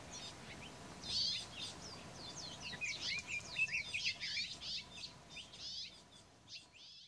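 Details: A female Palila foraging on Hawaii's Big Island at 7:13 am on 20 July 2015 gives quick, high, chirping and whistled notes in an irregular run, roughly two per second, over a soft background hiss.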